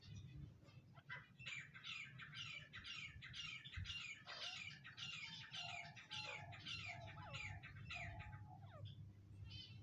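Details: Grey francolin calling: a long run of harsh, grating notes repeated nearly twice a second, with a few fainter whistled tones in the middle and steady low rumbling noise throughout.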